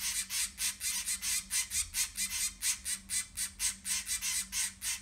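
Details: Zebra finch young in a breeding nest of six utter an even, rhythmic series of short, hissing, high-pitched calls, about four or five each second, throughout.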